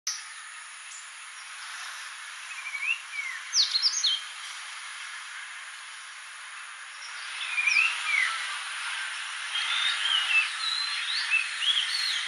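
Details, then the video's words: Oriental magpie-robin (Copsychus saularis) at Polonnaruwa, Sri Lanka, on 6 March 2019 gives clear, varied whistled notes in short bursts, some sweeping up or down, over a steady high insect hiss. "Oriental Magpie-Robin (Copsychus saularis)"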